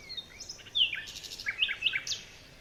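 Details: Several forest birds chirping in the morning, overlapping: high sliding whistles, squeaky slurred notes and quick sharp chirps in a dense jumble.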